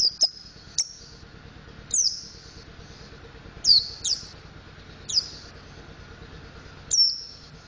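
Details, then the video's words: Learning the ngriwik and ngeplong styles, a mountain white-eye produces scattered high chirps, some quick double ticks, others sliding downward with a buzzy tail, at irregular intervals over a soft hum. "Burung Pleci Montanus Belajar Ngriwik Ngeplong"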